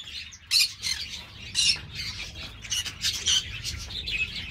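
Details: Green-cheeked parakeet (Pyrrhura molinae) from an amateur breeder. Rough, scratchy squawks arrive irregularly with softer overlapping chatter between them.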